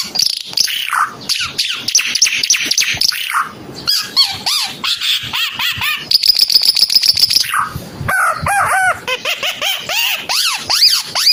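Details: Timor red-eyed bird in full, energetic song: a fast, varied stream of high whistled notes and rising-falling slurs, repeated rapidly with short bursts and pauses, no other sounds clear.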